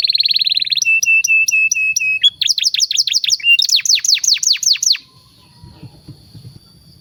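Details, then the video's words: Canary master song for training young birds: buzzy trill, a series of short flat whistled notes, then loud downslurred whistles, ending in quiet. "SUARA BURUNG KENARI PANCINGAN MASTERAN PAUD BIAR GACOR PANJANG"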